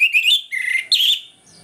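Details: Orange-headed thrush in a morning song used as a lure to rouse aggression: loud, clear whistled phrases, rising then dropping, with a brighter burst near one second before fading.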